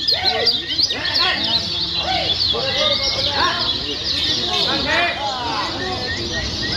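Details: Lombok Lemon-bellied white-eyes singing together in a busy contest-style chorus meant to coax a bird into song; shrill, fast chatter fills the high range while looping mid-pitched whistles rise and fall.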